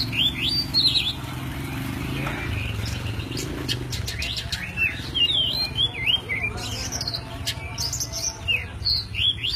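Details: White-breasted oriental magpie-robin (kacer poci) in isian alasan song, recorded as master material for songbird training: rapid strings of high whistled slurs and sharp clicks, phrases tumbling after one another over a constant deep hum.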